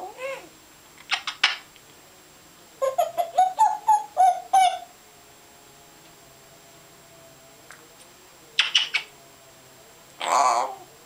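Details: A male African grey parrot that imitates water sounds, noises, curses and talking. It makes a string of varied vocal bursts: a rapid run of harmonic, voice-like syllables, scattered clicks and a final hoarse, drawn-out phrase.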